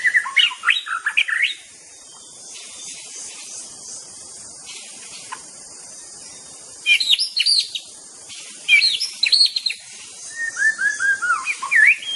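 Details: White-rumped shama, a popular contest songbird that copies other birds, delivering separated bursts of song: rich rising and falling whistles, sharp high chips and a descending series of slurred notes, with quiet gaps between phrases; light hiss throughout.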